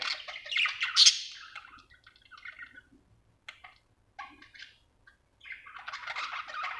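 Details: Happy budgie giving a loud scratchy chirp burst, then scattered soft clicks and brief twitters with gaps, resuming into steady warbling chatter at the end.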